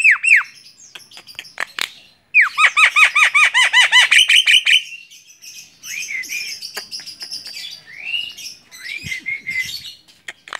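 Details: Hand-tame Javan myna singing busily: sharp clicks, a rapid string of ringing down-slurred notes, then buzzy warbles and rising whistles.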